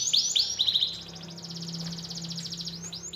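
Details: Canary singing as a lure for a lazy canary that has stopped singing; a few bright chirps, then a long even trill of quick identical notes, with a low steady hum underneath.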